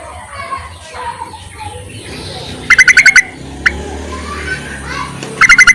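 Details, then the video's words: Yellow-vented bulbul calling to males, used as a lure: two loud bursts of about six rapid, evenly spaced, harsh notes, separated by a single short note, over faint background chatter of other birds. "BURUNG TERUCUKAN MEMANGGIL JANTAN COCOK JUGA UNTUK PIKATAN"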